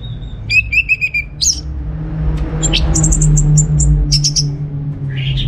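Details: Orange-headed thrush at home in Singaraja, North Bali, used as a lure for other birds: a short trill of repeated notes, a harsh slurred note, then high chips, with a passing vehicle rumbling underneath.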